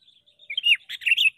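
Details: Decoy Sooty-headed bulbul during bird trapping, giving loud, close chirps: a thin high note, then sharp, falling whistled notes and a bubbly chattering burst.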